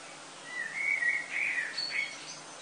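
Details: Common blackbirds singing before sunrise in summer, early August in Lille, France: a fluting whistled phrase gliding around mid pitch, followed by higher twittering notes, over a steady low background hum.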